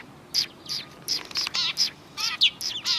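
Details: A flock of sparrows near a Tenmangu shrine roadside in December 2019. A handful of separate bright chirps, some with a wobbling, warbled lower part, are spaced about a third of a second apart, with little background noise.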